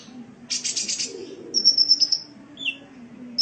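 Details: Sunbird vocalizing on a cage-bird training recording: a harsh rasping buzzy burst, then a fast thin high trill, followed by a short lower squeak.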